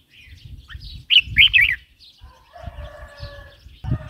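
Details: Red-whiskered bulbul song used to stimulate new or wild-caught birds and teach young birds: a loud burst of three quick warbled, bubbly notes, with faint fainter chirps and low thumping noise around it.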